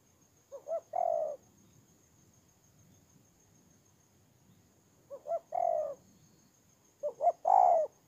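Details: Decoy spotted dove on the ground, Kon Tum, Vietnam, recorded 23 September 2018; three phrases, each two brief rising notes followed by a longer mellow coo, spaced irregularly with quiet gaps between.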